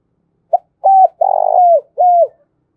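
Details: A single coo phrase from a spotted dove kept as a lure for wild doves: a brief opening note, a steady hoot, a long rough trilled coo sliding down, and a final arched note.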